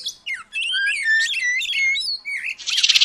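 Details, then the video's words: An oriental magpie-robin sings training material that copies the Asian paradise flycatcher: a rich run of warbled, swooping whistles at varied pitches, ending in a rough buzzy rattle. "Kacer Gacor Materi Burung Surga Ekor Panjang"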